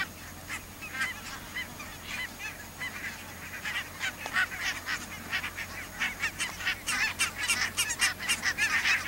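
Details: Geese, Pink-footed and Brant, near the Borreby bogs on very low land with much water. Quiet honking at first, building toward the end into a louder, dense flurry of rapid yapping calls.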